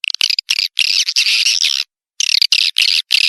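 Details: Edible-nest swiftlet lure call, used to attract swiftlets: bursts of harsh, high, buzzy chirping twitters in runs, a short silence, then more chattering bursts.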